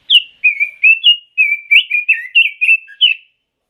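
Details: A red-billed leiothrix gives one continuous sweet warble of about a dozen quick, clear whistled notes over roughly three seconds, each note swooping up or down. No other sounds are present.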